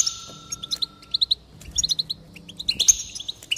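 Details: Goldfinch song used to spur a bird to sing: a buzzy tone, then quick strings of clipped, even chirps, ending in a harsher twittering flourish.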